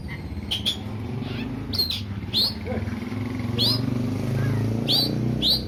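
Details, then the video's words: Song of an Oriental magpie-robin, played to stir aggression in a less combative bird: repeated sharp upward-sweeping whistles roughly every second, plus softer chirps over a low background rumble. "Kacer over birahi"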